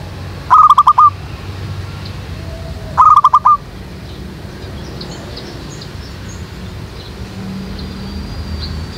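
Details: Zebra dove used as a trapping lure in a jackfruit tree behind a house gives two short bursts of rapid rolling coos, roughly two and a half seconds apart, followed by quiet with distant faint chirps.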